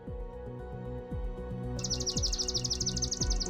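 A Swamp Sparrow gives a bright, even trill of rapid high notes over soft background music that plays alone before the song begins.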